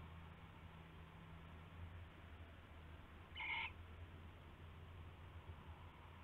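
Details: Owl at night on February 19, 2016, early morning, as a rabbit is taken; a single brief, buzzy harmonic call midway through otherwise quiet hum-filled background.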